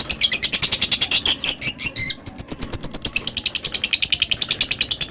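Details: Lovebird in a long ngekek chatter, fast rattling high chirps pouring out nearly continuously, a brief break near two seconds, then resuming at an even rapid pace to the end.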